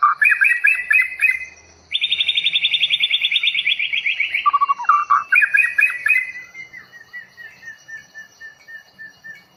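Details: Long-tailed murai bahorok (white-rumped shama) newly taken from the forest at Bahorok sings a loud, rich song: quick warbled trills, then a long buzzy run of rapid notes sliding downward, ending in softer whistled notes that fade away.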